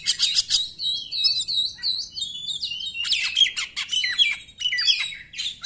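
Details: Oriental magpie-robin in 'nembak' song, played to stir silent magpie-robins into song: high whistled warbling with sliding notes, shifting into dense, rapid chattering and slurred whistles.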